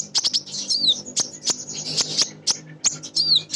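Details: Female kolibri ninja, Van Hasselt's sunbird, used to make other birds sing. Rapid high-pitched chips and twitters with two thin downslurred whistles, sounding almost continuously.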